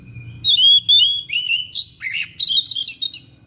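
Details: Thick-billed Oriental magpie-robin singing persistently, unloading its mimicry repertoire: loud, high whistled phrases, then a quick run of varied, scratchy mimicked notes over a faint low hum.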